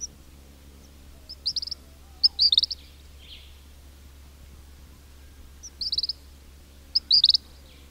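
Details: In a king cormorant colony, where chicks whistle and adults grunt, a few brief bursts of high stuttering whistles come at intervals of one to four seconds over a steady low hum.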